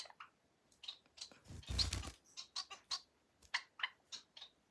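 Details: Society finch, a pet bird described as modest, giving short high chirps that repeat irregularly at roughly half-second gaps, with a brief rustling burst partway through.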